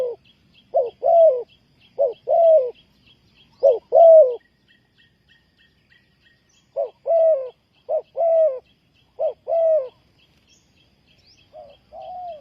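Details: A series of spotted dove coo phrases used to lure wild doves for trapping, each a short note plus a long falling coo, rhythmically repeated, with a soft high chirping series in the background.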